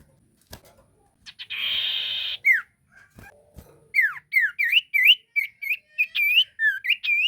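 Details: Ashy tailorbird in energetic song to draw out other birds: a short buzzy trill and falling note, then a steady series of loud whistled notes, each rising or dipping, about two per second.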